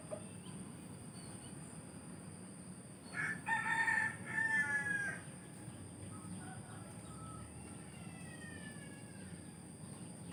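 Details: In a village, a rooster gives one full crow, short lead-in then a sustained harmonic phrase, amid quiet surroundings; a fainter, more distant crow trails off afterwards.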